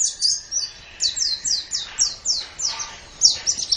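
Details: White-eye singing for a training master recording: a series of high, downslurred whistled notes spaced about a quarter second apart, each sliding downward, closing with faster twittering.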